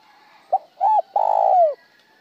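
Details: One spotted dove phrase, from singing that mixes a broken tail note, a single tail and a plain version without a tail: a quick soft note, a rounded double coo, then a long throaty coo that slides downward at the end.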